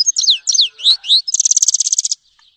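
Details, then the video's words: Grey-headed goldfinch song: a few high sweeping downslurred notes and short chirps, then a fast, even trill of bright repeated notes lasting under a second, ending abruptly. "Щегол седоголовый (Carduelis caniceps)"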